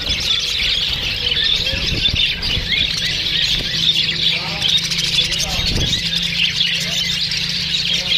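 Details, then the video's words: Australian parrots chirping to each other in a lively flock: continuous shrill twittering with occasional sharper squawks and a soft low hum behind. "See the way Australian parrots speak | They are chirping eachother"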